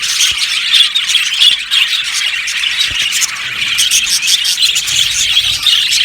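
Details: Budgie aviary colony calling, a steady dense chorus of high chirps and rasping squawks, with a few soft knocks beneath.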